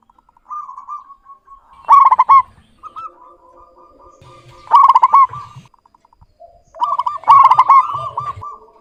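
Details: Local zebra dove singing persistently with a clear voice: three loud bursts of rapid, stuttering coos at steady pitch, each joined to softer rolling trills, spaced about two and a half seconds apart.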